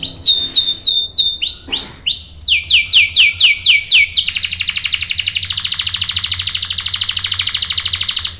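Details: Canary song: repeated downward whistled swoops in several phrases, shifting into a long steady buzzy roll.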